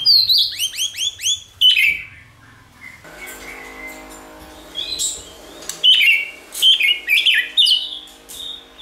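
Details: White-rumped shama song used to train shamas to sing: a rapid series of curved rising notes, then scattered loud whistled and buzzy phrases over a faint humming background.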